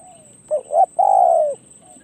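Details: Decoy spotted dove on an experience outing at the perch, voicing one phrase: two short clipped coos followed by a long, level, mellow note that drops at the end, over a faint steady high-pitched hum.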